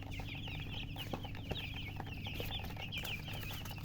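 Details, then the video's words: Newly hatched chicken chicks peeping loudly: a steady stream of high, short chirps, often rising then falling, over a constant low hum. "Tot Murgi chicks chirping sounds Just Born Baby Gallina FRACAS Chicks Piar Loudly Sound"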